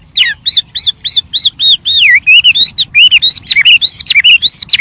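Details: White-rumped shama singing in the wild with much variety: a series of clear arched whistles repeated at a steady pace, then a quicker jumble of rising and falling whistled notes.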